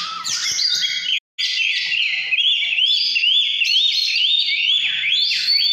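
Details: Căn lửa style song of an Oriental magpie-robin: a continuous flow of loud, swooping whistles that repeatedly climb and drop in wavy phrases, with a brief break just past one second.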